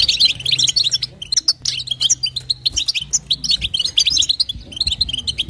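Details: A female European goldfinch gives calls meant to stimulate the male: rapid tinkling twitters and chirps, a short gap after one second, then steady bright notes continuing to the end, with a low hum behind.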